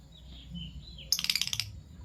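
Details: Fischer's lovebirds, a violet and a gold opaline euwing, heard in the morning: soft whistled notes in the background, then a rapid, rattling volley of harsh high chirps lasting about half a second.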